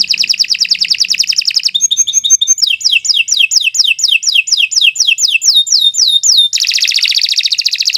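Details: Canary in long continuous song, recorded for training young birds: rapid rolling trills give way to a series of fast descending whistled sweeps repeated several times a second, then a dense high buzzy trill.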